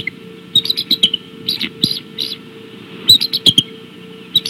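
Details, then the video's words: Decorah bald eagles calling in the evening of 17 March 2016. Quick strings of high, shrill chitters alternate with a few brief squeaky notes, and the calling runs in irregular bursts about a second apart. Low electrical hum throughout. "Decorah Eagles Appels"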